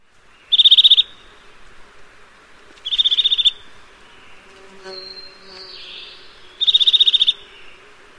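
A Eurasian nuthatch gives three short, rapid, high trills of even notes, each about half a second long and spaced a few seconds apart, with faint softer chirps between.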